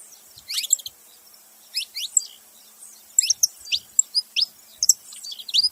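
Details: Saffron finch calls: short clusters of sharp, high chirps and quick downward slurs, separated by brief pauses and becoming more frequent toward the end.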